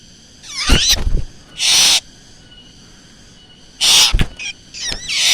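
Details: Black drongo calls played as a lure recording: bright, ringing harmonic notes with wavering sweeps, broken by loud harsh rasping bursts at about one and a half and four seconds, then more rising whistled notes.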